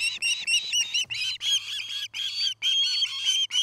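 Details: Osprey at a nest in Charlo, Montana, recorded by a nest camera on 09-08-2018 in early afternoon, where a pair is building a nest: rapid harmonic chirps, about four per second, loud and high, over a faint low steady hum.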